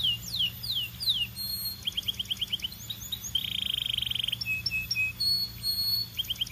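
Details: Belgian canary in full song: swooping slurred whistles, a rapid staccato chatter, then a sustained pulsing buzzy trill, followed by short clipped notes and a renewed burst of quick whistles.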